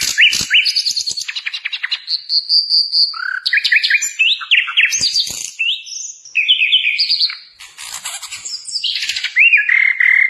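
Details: Tutor recording of a lively sikatan londo flycatcher for training caged birds: a continuous fast medley of bright whistles, sharp upslurred notes, buzzy trills and chattering runs, changing constantly with hardly any break.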